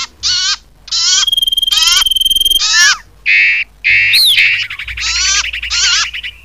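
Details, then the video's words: Common iora lure sound for trapping, with coarse buzzy bursts carrying falling sweeps, a held high whistle, a sharp rising note, and a closing run of quick chatter. "Suara pikat burung cipow"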